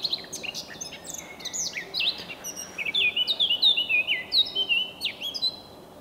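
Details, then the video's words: Eurasian blackcap at dawn in early May, a fast jumble of chattering notes building into clear, loud fluted whistles that slide downward, phrases repeated in quick succession over a quiet background. "Черноголовая Славка. Утренняя песня."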